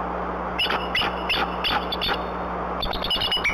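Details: Adult male Bald Eagle arriving at a nest with nestlings before dawn after a night storm, calling at once to warn off a harassing owl: rapid, high, thin chittering notes in quick bursts, repeated throughout over a steady low hum.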